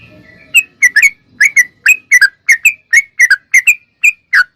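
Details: Clear, lively song of a sooty-headed bulbul for training cage birds: a low hum fades out, then crisp whistled notes, some doubled, follow roughly every third of a second.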